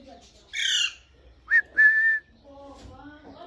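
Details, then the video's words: Pet parrot whistling with enjoyment: one harsh squawk, then a short rising whistle and a longer steady whistle, followed by soft lower chattering. "Parrot whistling full enjoyment"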